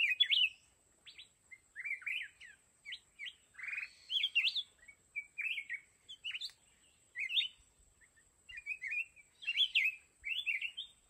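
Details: Decoy red-whiskered bulbul singing at a trap set to lure wild mountain birds into fighting: a long run of short, sweet, warbled whistles, each phrase slurring up and down, repeated about once a second.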